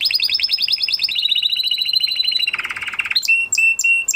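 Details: A male canary sings after his moult: a fast pulsing trill gliding lower in steps, a low buzzy rattle, then several sharp, clipped whistled notes.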